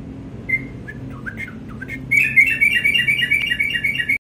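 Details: Morning song of a sooty-headed bulbul: a few scattered whistled notes at first, then a rapid burst of bright repeated warbling notes for about two seconds before the recording stops; steady low hum underneath.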